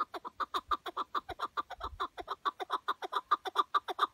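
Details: Chukar partridge kept tethered as a hunting decoy in Şırnak, Turkey, calling loudly: a rapid, steady run of harsh chuck notes, over two per second, each a short clipped burst, with faint low thumps beneath.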